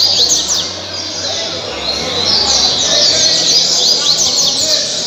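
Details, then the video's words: Caribbean seedeater singing in Angra dos Reis, Brazil: bright, high, rapid twittering notes and quick downslurred whistles repeated steadily, set against other chirping birds. "Coleiro caribe 226 cantos o melhor coleiro de angra"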